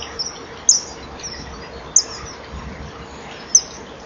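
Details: Common kingfisher pair at a nest-bank camera, 07:19 on 12 March 2015: the female is on a perch and the male joins her; they chip at each other, thin piercing whistles about 1–1.5 s apart, before the male attempts mating.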